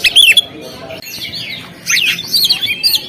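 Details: Oriental magpie-robin on a contest stand gives a burst of harsh, loud notes, a pause, then a longer scratchy warble mixed with high whistles.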